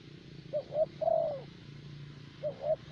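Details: Caged spotted dove used as a lure in Vietnam, a thổ bầu decoy prized for steady calling; two quick coos then a longer sliding coo, with another phrase starting near the end, over low rumbling background noise.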